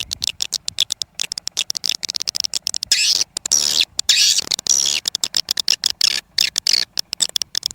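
Swiftlets give dense, high-pitched chattering: rapid clicks and buzzy twitters in quick bursts, with a few short gaps of near silence.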